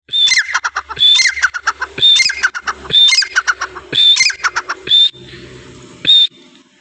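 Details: Iranian francolin calling in rhythmic phrases, each a high thin whistle followed by a quick rattle of lower clucking notes, repeated roughly every second, with a short gap near the end.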